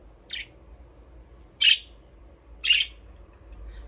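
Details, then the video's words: Three separate rasping chirps from budgerigars in their aviary, spaced roughly a second apart over soft background hiss. "Budgies parrot chirping sound"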